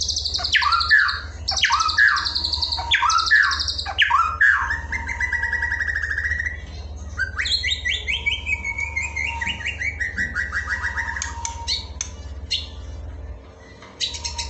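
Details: White-rumped shama masteran song for training birds: loud sweeping whistles and rapid descending notes, then a long fast trill sliding downward, short chirps near the end, over a constant low hum.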